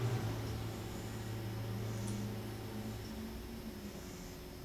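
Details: A steady low hum and faint hiss fill a small indoor room, with no animal calls heard.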